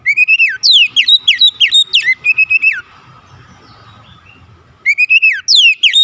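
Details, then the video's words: Lure song of a white-rumped shama for provoking other shamas: a long run of bright, steeply falling whistles with a rising opening phrase, a short quiet gap, then the phrase starting again. "PANCINGAN KACER ANTI BISU mancing Kacer lain cepat emosi dan gacor"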